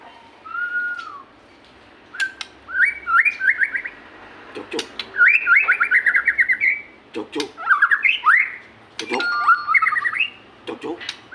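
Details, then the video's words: White-rumped shama singing, used as a lure to get captive shamas to sing: varied phrases of rapid whistled trills and rising slurred notes, separated by short pauses, with sharp clicks between. "pancingan burung murai susah gacor"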